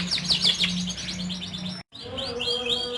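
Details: Massed song of caged young canaries, used to prompt silent canaries into singing: dense, fast high twittering trills and rising whistled notes, a steady low hum beneath, a brief dropout near the two-second mark.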